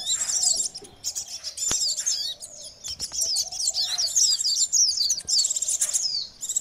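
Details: Common iora lure recording giving a busy stream of high, thin chattering and twittering notes in quick bursts with hardly a pause, sounding like several birds calling at once.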